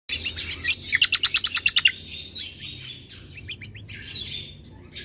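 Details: Yellow-vented bulbul song used as a tutor recording for other birds: a quick burst of about ten sharp chirps, then looser chattering notes over a steady low background hum.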